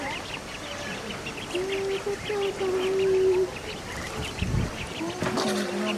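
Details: Call duck ducklings, the world's smallest domestic duck breed, sunbathing and bathing; a run of short, high peeps repeats steadily through the clip over a faint constant low hum and soft background rustling.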